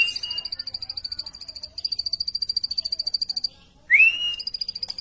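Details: Long sequences of rapid, high, buzzy-ticking notes from a plain prinia, repeated at an even fast pace with brief gaps, then a single loud rising whistled slur before the pipping starts again.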